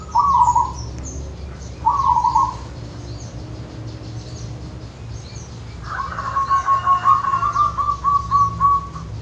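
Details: Wild local zebra dove from the Wonogiri countryside gives two short trilled coos, then after a pause a longer phrase of evenly spaced beaded notes; light background noise throughout.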